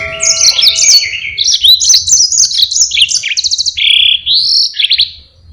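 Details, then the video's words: Yellow-fronted canary in full, energetic long rolling song used to tutor other birds: a fast, unbroken run of high whistled notes, buzzy trills and sliding phrases, shifting pitch every fraction of a second, with a faint low hum beneath. "Burung Mozambique GACOR NGEROL PANJANG sangat Jitu buat masteran"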